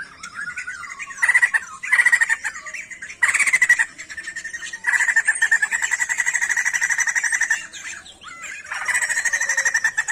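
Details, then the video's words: A songbird in full song gives harsh, rattling chatter in bursts of about a second, then longer buzzy trills. Nothing else is heard over it. "SIJAMBUL GACOR"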